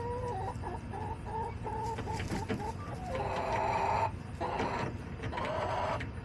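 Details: Backyard hens in July clucking in a run of short repeated harmonic notes, then louder drawn-out squawking calls, with steady low hum in the background.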